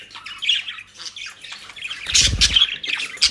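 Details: Pet budgerigars in Den Haag, Netherlands, given dry leaves and grass, chattering in a dense stream of scratchy warbles and squawks, with a few low thumps of movement partway through.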